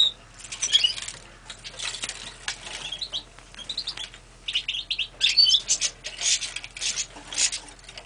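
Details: Red-fronted serin (Serinus pusillus) from a breeding aviary sings in quick bursts of very high, jingling, buzzy twittering, with short pauses between the phrases.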